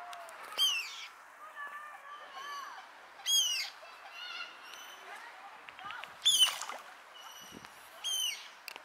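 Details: Common moorhen in Tivoli landscape park, Ljubljana, on 2 September 2022, giving loud, abrupt, harsh calls about every three seconds, with softer chatter and other bird notes beneath.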